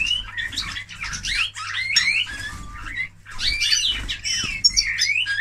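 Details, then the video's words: A Eurasian bullfinch sings a scratchy, creaky warble of squeaky notes and short piping whistles in two long bursts, over a faint low hum. "紅腹灰雀/Eurasian Bullfinch(Pyrrhula pyrrhula)singing"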